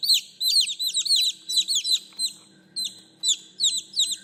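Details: Chicks calling their mother with bursts of shrill, downward-slurred peeps in quick clusters, broken by short silent gaps, then resuming in small rapid groups.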